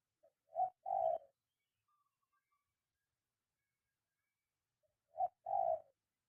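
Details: Spotted dove trained to call on the ground, giving two matching coo phrases about four and a half seconds apart, each a faint pip, short note and longer low coo, in a quiet setting.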